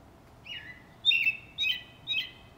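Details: A robin singing in a backyard gives a slurred opening note, then three short warbled phrases about half a second apart, clear and mid-high over faint background hiss.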